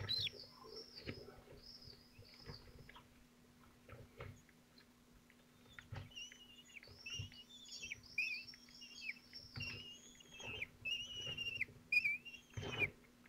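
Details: Several twelve-day-old falcon chicks at a Théding nest, 22 June 2023, attempting in turn to gulp down large prey. High, wavering squeals come in irregular bursts, with scratching and tapping between them.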